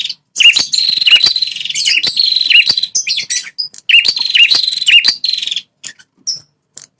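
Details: Red-headed prinia, territorial fighter, calling as a lure for wild males: near-continuous harsh buzzy trills with regular dipping notes in two long bouts, tapering into brief chips.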